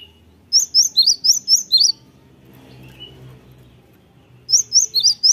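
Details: Cinereous Tit singing a lure phrase meant to draw replies from other tits: a rapid run of about six high, bright, bouncing notes, a quiet gap with faint low rumble, then the phrase starts again.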